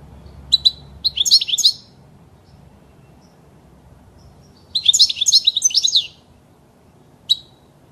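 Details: Goldfinch song used to teach young birds: a couple of sharp chirps leading into a twittering phrase, a pause, a second long tinkling trilled burst, and a final lone chirp.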